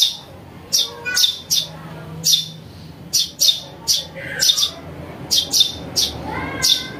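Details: Young house sparrow calling, a sound played to lure birds: bright, piercing chirps in quick doublets and triplets repeated about once a second, softer whistling notes underneath.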